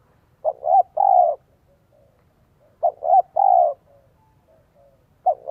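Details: Luring call of a spotted dove in the 'giọng son 1 cốt lỡ' style for attracting wild doves. Two full phrases of two short notes and a long falling coo play about two seconds apart, then a third phrase begins.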